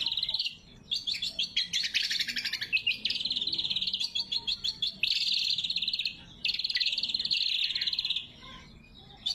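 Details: Clear, natural greater green leafbird song for luring wild birds and training caged ones: long runs of fast buzzy trills and sharp chips at a steady high pitch, broken by short silences.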